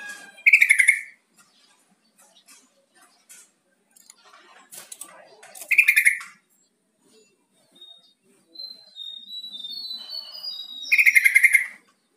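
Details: Yellow-vented bulbul call meant to coax a silent caged bird into answering; three short, loud, bubbly chattering bursts roughly five seconds apart, with high thin whistled notes between them.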